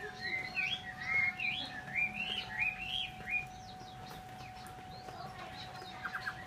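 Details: Chinese hwamei singing a run of quick, varied whistled phrases that rise and fall, about one per second, then fading to scattered faint notes, with a steady electrical hum throughout.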